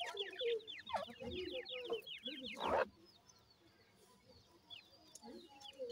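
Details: Grey francolin chicks near a parent, giving a burst of quick, high, falling cheeps and low clucks for about three seconds, then fading to sparse faint chirps.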